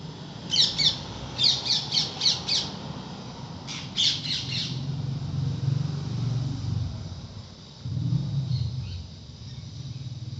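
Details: Parrots that visit a home every day, chirping: quick bursts of harsh, rapid notes in the first half, falling quiet later, over a steady low rumble like passing traffic.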